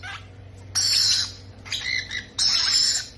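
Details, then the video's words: Baby parrots begging while being fed: three loud, wheezy, rasping bursts in quick succession, the first and last longest, with a brief chattering note between them. "feeding babies parrot"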